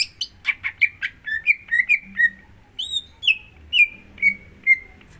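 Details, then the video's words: Greater green leafbird song used to encourage a second bird to start singing: a rapid opening burst of notes, then a series of falling whistled slurs, spaced roughly every half second. "Pancingan Untuk Cucak Hijau Agar Mau Bunyi"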